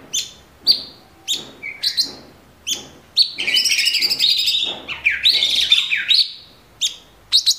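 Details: A cucak cungkok bulbul in full song gives sharp, high chirps about every half second, then breaks into a long, dense, rapid burst of bright twittering notes for several seconds. The recording is used as a training song for other songbirds.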